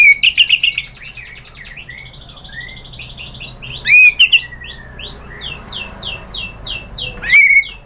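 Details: Female white-rumped shama calling the male, used as a lure to provoke a reply: bursts of sharp high chirps and trills, a quieter run of short descending notes, then another loud chirp burst near the end.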